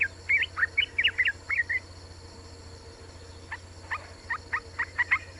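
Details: Female Yellow-vented Bulbul calling the male: a rapid run of bright slurred chirps, a pause, then evenly spaced single notes about every half second. A low electrical hum sits underneath.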